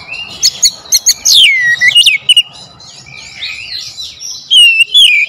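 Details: Oriental magpie-robin lure song: crisp clicks and high whistles sweeping downward, then a softer twittering warble, ending with loud bright whistled phrases.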